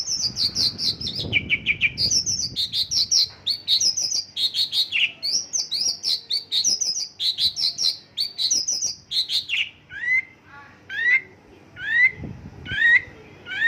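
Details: Mongolian lark delivering isian lokalan song: long run of rapid high chirps and twittering notes, then slower, spaced, clear upward-swooping whistles repeated about once a second near the end.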